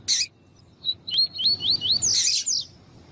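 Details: Female double-collared seedeater in captivity, calling to stir a male: about six high, upslurred whistles in a fast string, each note climbing sharply, with brief harsh noisy bursts before and after.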